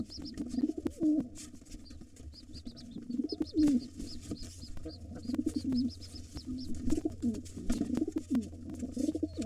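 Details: During a nest takeover attempt by a gray intruder, the white father pigeon fights back beside two nestlings: deep, rolling coos recur in bursts, with faint high repeated peeps, likely the nestlings, and clattering scuffle noises.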